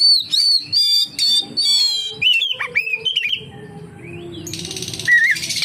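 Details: Oriental magpie-robin singing to lure other magpie-robins into song: harsh buzzy notes and whistles in rapid phrases, then a hissy stretch ending with a single whistled slur.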